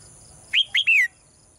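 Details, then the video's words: Morning song of a caged female bird: three rapid chirps in a row, the last one longer and falling in pitch, with a thin steady hum behind. "เสียงนกร้องเจี๊ยก ๆ ไพเราะมาก"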